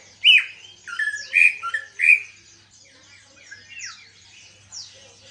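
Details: Caged greater green leafbird that has only recently begun singing: four loud whistled notes with sharp onsets and bending pitch, then quieter high chirps and faint notes trailing off.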